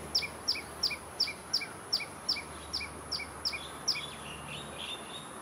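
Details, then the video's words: A Common Tailorbird in Singapore sings right after an afternoon shower ended, repeating a loud, sharp, high chip about three times a second in a steady ringing series over a faint steady hiss. "COMMON TAILORBIRD singing"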